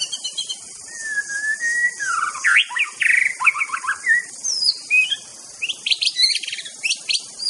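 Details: Aceh white-rumped shama singing master song: a smooth rising whistle, then dense tumbling chatter and scratchy notes, ending in high sweeping phrases, over steady hiss.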